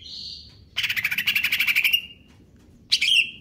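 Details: Greater green leafbird song of the kejer nembak type. A steady whistled note leads into a long rapid rattle of about fifteen harsh pulses lasting over a second, then a pause and a final buzzy flourish.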